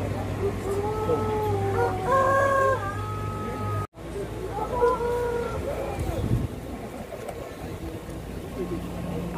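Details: Pelung chickens at a crowing contest in Banyumas, Indonesia, held at a durian agritourism site in Karangrau village; two long, tonal, rich crows with level, held notes, separated by a brief dropout, over steady background hum and crowd chatter.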